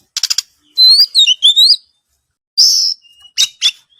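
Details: Oriental magpie-robin in full song: bright bursts of clear, wavering whistles that slide up and down, mixed with short raspy chatter, separated by brief silences.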